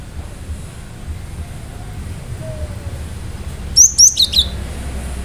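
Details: Cinereous tit firing off a sharp song burst to provoke other birds: after quiet background, four quick high ringing notes in a tight cluster near the end.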